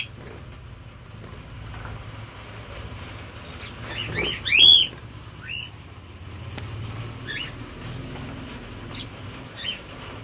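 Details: Budgerigars in a breeding setup with chicks give short, scratchy chirps, one louder burst among quieter scattered calls.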